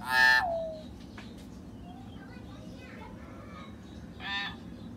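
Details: Common hill myna sound used to get a silent bird singing: a loud, harsh, richly harmonic call that falls at its end, a quiet gap with faint chirps, then a second harsh call.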